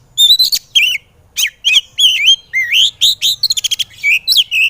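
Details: Oriental magpie-robin (kacer) singing emotionally in a training recording for birds that are lazy to sing: continuous rich whistles, slurred warbles and rapid clipped chips, ending in a fast stuttering series of notes.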